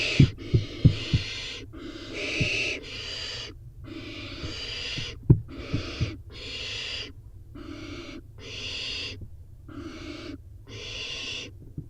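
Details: Barn owl nestlings, four in a nest box, in a feeding frenzy as one chick snatches a dropped prey item; loud broadband rasping hisses of about one second repeat roughly every second, with scattered knocks and a low steady hum.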